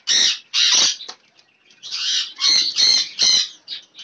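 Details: Lorikeets feeding on apples in a fruit meal, recorded on a phone camera, giving loud harsh screeching squawks in long grating bursts of about half a second, with brief quiet gaps and faint chirps between.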